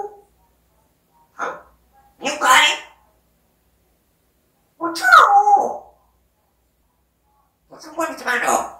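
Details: African grey parrot making scattered speech-like sounds: two brief breathy notes, a longer voiced phrase with a falling-then-rising pitch, and a final noisy mutter.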